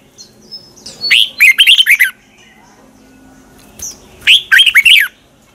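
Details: Red-whiskered bulbul singing its morning competition song in the 'giọng xoắn' style, meant to stir rival bulbuls to sing: two quick bubbling warbled phrases, each led by a thin high whistle, separated by about two seconds of quiet.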